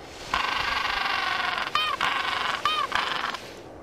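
A penguin gives a loud, harsh, donkey-like bray with a steady buzzing tone.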